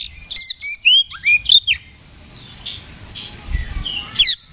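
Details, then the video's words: Oriental magpie-robin in aggressive fighting song, used to provoke other birds into answering. A quick burst of clear rising and falling whistles opens, followed by quieter scratchy notes and a final sharp whistle, with low rumbling background noise. "KACER GACOR NGEPLONG TARUNG !! PANCINGAN KACER PALING AMPUH BUAT MENAIKAN EMOSI KACER AUTO RESPON"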